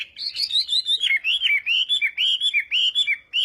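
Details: Chinese hwamei during morning song practice in fighting style, delivering a fast string of clear whistled notes that arch and dip, closely spaced and tirelessly repeated.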